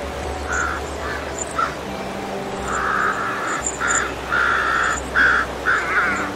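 A crow gives a run of harsh, hoarse caws, some short and clipped, others drawn out, about one a second, over a steady low hum.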